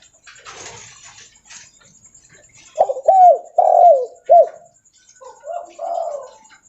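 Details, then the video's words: After a soft rustling start, a spotted dove calling loudly while walking gives a short burst of clear, falling coo notes, followed by a quieter, hoarser coo at the end. "Suara Derkuku Leopard Volume Besar Super Gacor Bunyi Sambil Jalan"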